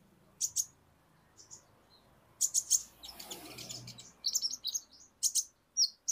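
A sunbird gives very high, thin, sharp chips in quick clusters, with short pauses between bursts and a faint murmur in the background.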